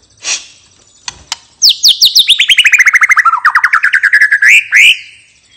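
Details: White-rumped shama singing in the relaxed ngeplong style: a sharp opening note, then a rapid run of about twenty clear whistled notes sliding down in pitch, ending in two rising swept whistles.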